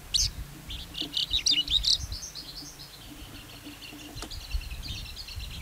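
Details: Lark singing a high, rapid chatter of twittering notes against steady background hiss, the phrase fading into softer continuing warbles.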